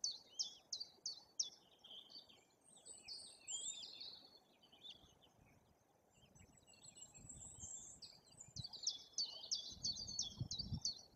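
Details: At a nest in Poland's Bory Tucholskie forest, white-tailed eagle parents keep watch as their chick hatches in the breeding season; rapid series of shrill, high yelping notes open and close the recording, with softer chattering between and faint nest rustling.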